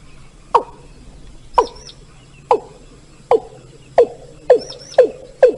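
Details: Watercock call, used as a lure for bird hunting in Bengal: short, hollow, downward-dropping notes, about eight in under six seconds at an uneven pace, with a faint high chirp from another bird heard twice.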